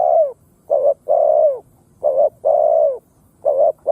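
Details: A lure spotted dove, used on the ground to goad wild doves into fighting, produces alternating short humped coos and longer drawn-out coos in quick succession.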